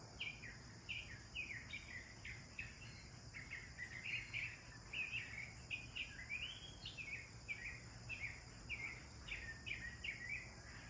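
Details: Several sparrows chirp busily during their bath, giving dense strings of short, slightly buzzy notes, some rising, almost without pause, against a constant high hum and low rumble.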